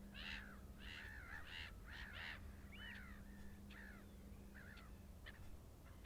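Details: Short-eared owl in Iceland giving harsh, nasal barking calls: a quick run of raspy bursts over the first two and a half seconds, then scattered downslurred and hooked notes. A steady low hum runs underneath.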